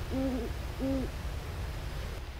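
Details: A nesting pair of Great Horned Owls in a southwest Florida nature preserve hoot early in the nesting season to renew their bond and guard territory; the female calls from a dead tree and the deeper-voiced male answers from an oak, giving two deep, soft hoots.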